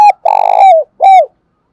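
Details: A close, loud spotted dove in Dong Nai, Vietnam, coos in the morning. A clipped hoot is followed by a rich, burry rolling coo that drops at its end, then a final curving note.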